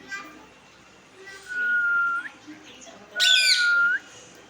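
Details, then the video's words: Pet talking parrot calling during a conversation with its owners, who speak Bengali; two long, steady whistled tones each ending in a quick upward flick, with a harsh squawk burst at the start of the second. "talking parrot in bengali"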